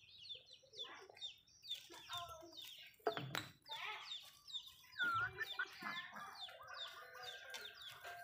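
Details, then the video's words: Several Malay chickens feeding in a home backyard give rapid chirps and soft clucks over one another, punctuated by loud knocking pecks near three and five seconds and a brief rising squeal. "Chicken malayo asmr nice but nonuse sound eating food"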